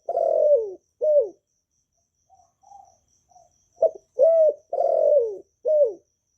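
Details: Spotted dove (cu đất, cu cườm) kept in Vietnam, cooing to encourage newly caught doves to sing, noise-free recording; long drawn falling coo and a short coo, soft murmured notes, then another stuttered phrase ending in a long sliding coo.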